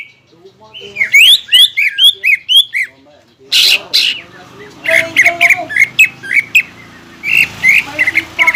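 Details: Greater green leafbird lure song for bird contests, aimed at the ngentrok fighting style, with a fast chain of looping whistles, then a burst of noise and scratchy chattering notes over a hissing background.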